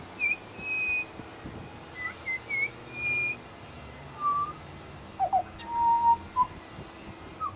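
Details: Australian Pied butcherbird in suburban Brisbane, a mimic of local sounds, gives pure, flute-like whistles: a few high held notes, then lower phrases with short slides and a quick upward flick, over soft background hiss.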